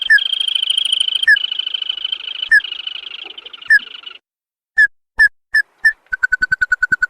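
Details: Tututan, a bird also called tikusan or sintar padi, in a lure recording meant to make wild birds answer: a long buzzy churring tone broken by sharp clicks, then single spaced notes and a fast even series of repeated notes.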